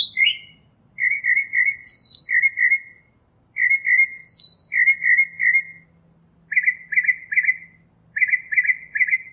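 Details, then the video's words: Northern mockingbird singing in nature: short buzzy trilled phrases repeated in sets, broken by swooping whistled slurs that rise and fall, with brief pauses between the groups. "Birds Singing - Northern Mockingbird"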